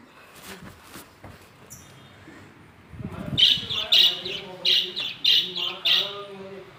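Lovebirds give shrill, squeaky chirps, about six in four seconds, after a quieter opening with faint background noise.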